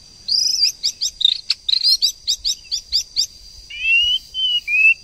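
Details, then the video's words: Female white-rumped shama sound meant to excite a male into singing: a quick run of about ten sharp, high, repeated chipping notes, followed by three short, clear, rising whistles. "TIẾNG CHOÈ LỬA MÁI TRỐNG/CHOÈ LỬA MÁI TẠC KÍCH TRỐNG/murai betina fighter,murai jatan auto ngamuk"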